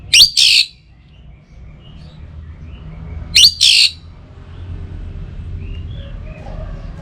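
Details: Orange-headed thrush singing morning and evening to prompt other birds to sing: two short, high, bright bursts of fast notes about three seconds apart, with a low background hum between them.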